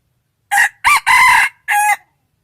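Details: Rooster crowing: four loud harsh bursts in close succession, the third longest and sustained, with rich harmonic bands, the final burst trailing off; no other sounds.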